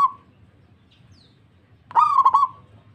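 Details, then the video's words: Zebra dove of local stock, calling back to another bird: the tail of one note, a quiet pause with a faint high squeak, then one bubbling, stuttered coo phrase. "PERKUTUT LANGSUNG NYAHUT PERKUTUT LOKAL GACOR DOR DOR DOR"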